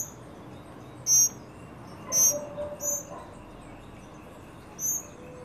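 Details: Tropical mockingbird family, adults with babies, feeding at a birdfeeder in Trinidad on a sunny day; short, thin, high chip notes come at uneven intervals, about four in five seconds, over a faint low background hum.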